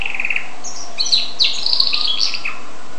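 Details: Goldfinch crossed with canary gives a quick run of high twittering and chirping notes with short trills, steady hum underneath.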